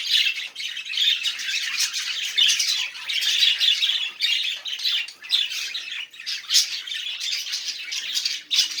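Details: Budgerigar song meant to prompt quiet budgies into singing, a steady stream of buzzy, scratchy chatter with clicking bursts and squawks, rarely pausing.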